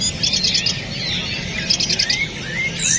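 Cream-vented Bulbul singing: two quick bursts of high, bright chirping trills, then short rising whistles, over a faint low rumble.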